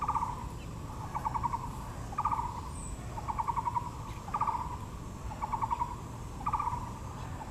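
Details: Taiwan blue magpie at Yangming Park, Taipei, beside azaleas: seven harsh, ratcheting bursts in regular succession, each a quick string of clicks, with faint distant bird notes and low ambient rumble.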